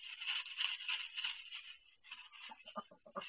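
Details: A female duck in pain while laying her first egg on a self-built nest: a continuous hoarse, raspy call for about two seconds, then a string of short clipped nasal notes.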